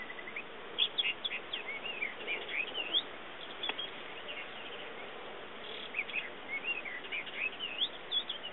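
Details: Ring ouzel at Monte Avaro, Bergamo, Italy, on 4 July 2010, giving short, scratchy chirps and quick warbled notes in two bursts over a steady background hiss.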